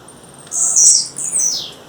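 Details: A female blue-black grassquit calls in the wild: two high, strained buzzy notes, the second sliding downward, with nothing else prominent.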